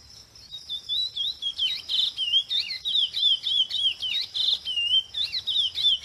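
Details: Chestnut-bellied seed finch (curió pardo) singing a fast, continuous song of clear sliding whistles and twittered phrases, several notes per second, over a constant high-pitched buzz in the background.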